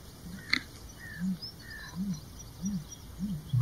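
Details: A male great bittern (Eurasian bittern) hidden in reeds in Drenthe, Netherlands, gives its mating call: four deep, hollow booms about two-thirds of a second apart, over faint high chirps from other birds.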